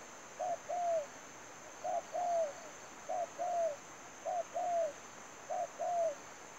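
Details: Lure spotted dove in a trapping setup, calling a clear two-note phrase five times, a short note then a drawn-out falling coo, evenly spaced about every 1.2 seconds, over a faint constant hiss.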